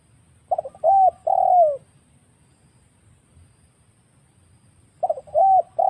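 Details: Spotted dove lure call recorded for trapping wild birds: a phrase of two quick short coos and two drawn-out, slightly arched coos, a four-second pause, then the same phrase begins again; faint low background rumble.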